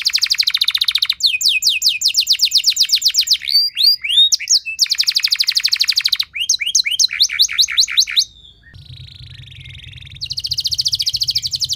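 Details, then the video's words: Varied canary song used to spur other canaries to sing: buzzy rolls, rapid clicking trills and sweeping whistles in shifting phrases, with a brief low hum behind one passage. "Langsung Respon Burung Kenari Kondisi Apa Saja Dengan Pancingan Kenari Nembak Panjang Keras Ini"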